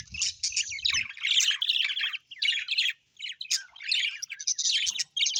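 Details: Several cheerful pet budgies chatter in a steady stream of high, buzzy, warbling chirps broken by short gaps, with a faint low rumble in the first second.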